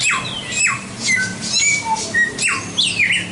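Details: White-rumped shama song made of quick downward-sliding whistles, flat clear tones and high ticking notes, delivered in a rapid, irregular stream.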